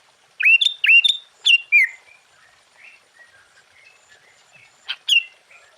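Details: Sooty-headed bulbul delivering 'full isian' song to rouse other bulbuls: four quick ringing hooked notes, then soft scattered chirps and a final bright upslurred note.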